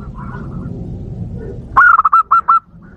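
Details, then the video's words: Lure call of a zebra dove for provoking wild doves: after low background noise, one quick burst of about seven soft, rounded, same-pitched cooing notes. "Suara Pikat Burung Perkutut"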